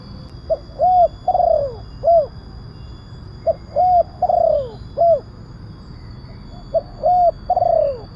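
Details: Spotted dove call played to attract wild doves: three repeated phrases, each a short note, a double coo, a drawn-out falling coo and a final short coo, roughly three seconds apart over steady hum.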